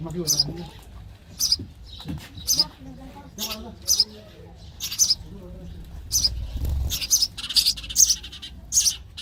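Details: Sparrow chicks begging in the nest while fed: high, thin chirps roughly once a second, growing faster and denser toward the end, with a soft low thump midway.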